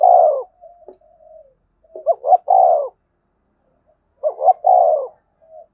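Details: Spotted dove in the 'gáy thúc' and 'gáy gọi' style, used to draw answering wild doves: a long coo ends one phrase, then soft murmurs, then two full phrases of paired rising notes and a drawn-out coo.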